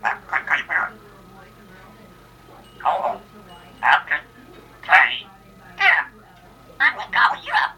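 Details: Female Congo African grey parrot, a pet indoors, giving a New Year greeting: several short bursts of mimicked human words, about one per second, with brief silent gaps between phrases.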